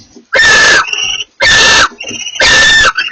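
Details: A pair of barn owls communicating: three loud rasping screeches about a second apart, with thinner wavering whistled calls filling the gaps between them.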